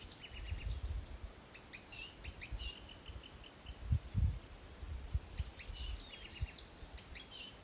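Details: Blue-and-gold Tanager (Bangsia arcaei) in Costa Rica in 2021, giving thin, high, sharp call notes in two quick bursts, with soft ticking series between; low background rumble throughout.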